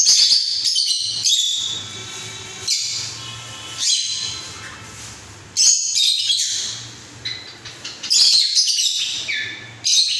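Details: Cockatiel singing what is described as a mating call; dense runs of bright chirps and squawky whistles, some rising sweeps, in bursts separated by short pauses, with a faint low hum indoors.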